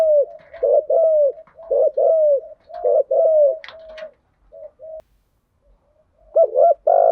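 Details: Spotted dove lure call, male and female birds, used to excite decoy doves, thúc gù and gáy gọi styles: rapid run of short coos, each with a downward-curving tail, a brief pause, then renewed loud coos; faint clicks.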